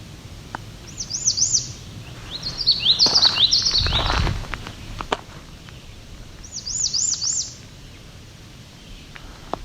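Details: An American Redstart on a trail near Otter Lake, Cape Chin North, Ontario, on July 17, 2019, gives high, thin, sibilant phrases of quick up-and-down notes in short bursts, one song variant, with handling rumble partway through.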